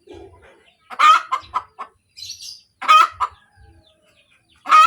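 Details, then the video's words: Hen cackling after laying an egg, loud harsh squawks roughly every two seconds followed by quick clucks, with a brief high chirping from another bird in a gap. "SUARA AYAM SETELAH BERTELUR | AYAM BERKOTEK | AYAM BETINA BERTELUR"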